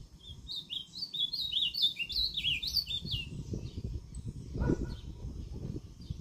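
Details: Ultramarine grosbeak in Limoeiro do Norte, northeastern Brazil, recorded 20 September 2023, sings a northeastern-style song: a rapid, sweet warbled phrase of short slurred notes over about three seconds, with low rumbling background noise and a brief thump.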